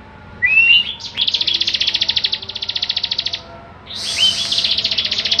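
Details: Bar-winged prinia in vigorous song for tutoring songbirds: two bursts of fast buzzing pulsed trills, each led by a brief thin whistled note, separated by a short pause.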